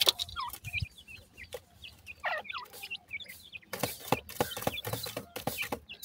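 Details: Young grey francolin chicks (sindhi teetar) give clear high rising and falling peeps, several in overlapping series, then louder scratchy rustling noise in the second half.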